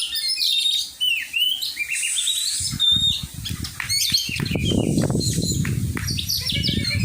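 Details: Oriental magpie-robin in song training, giving varied whistles and trilled phrases while loud low rustling and flapping-like noise builds in the second half.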